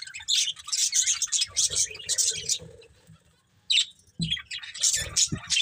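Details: Breeding pair of budgerigars with bursts of scratchy high chirps, a quiet pause near the middle, then renewed chattering and a few soft low knocks.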